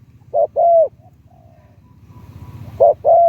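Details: Spotted dove decoy from Thailand with a medium-to-deep voice gives two mellow coo phrases, each a short note followed by a longer drawn-out one, separated by a quiet gap with a low background hum.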